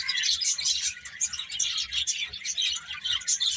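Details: Busy bird chatter: rapid, high-pitched tweets from several birds overlap without pause, and faint low rumbles sit in the background.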